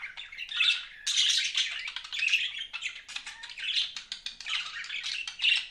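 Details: Pet budgerigars chattering nonstop indoors, a busy mix of scratchy warbles, buzzy trills and brief squeaky chirps rising and falling in loudness.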